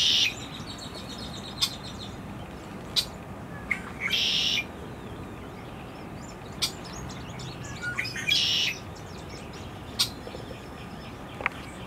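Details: Lincoln's sparrow recorded in the United States on 18 April 2018 gives short, buzzy, high trilled phrases about every four seconds, with scattered clicks and a steady low background rumble.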